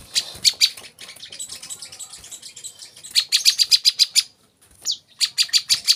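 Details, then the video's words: Olive-backed sunbird song used as masteran training audio for young cage birds: scattered high chirps, then bursts of fast, sharp, high-pitched notes repeated in quick runs, with one brief downslurred note. "kolibri kelapa | wiceh | manggar | putar suara ini untuk burung bahan agar rajin bunyi"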